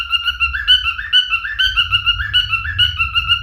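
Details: A male cockatiel sings repeated clear whistles that step up and down in a looping tune, over a steady low rumbling background noise.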